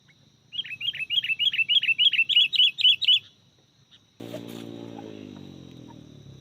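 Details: Sooty-headed bulbul recorded while luring wild birds for trapping: a fast run of about fourteen sharp, high chirps over nearly three seconds, then a pause and a steady low droning tone.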